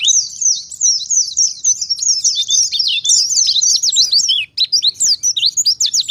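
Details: Oriental white-eye in vigorous forest-type song used as a lure for other white-eyes: a long, breathless run of high, sweet twittering, then clipped sharp chirps in quick staccato bursts.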